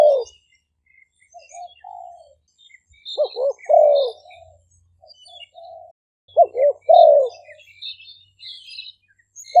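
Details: Spotted dove decoy birds recorded outdoors in Roi Et, Thailand, sometimes singing together; soft low coos and louder falling coo phrases, with high chirps from small birds throughout.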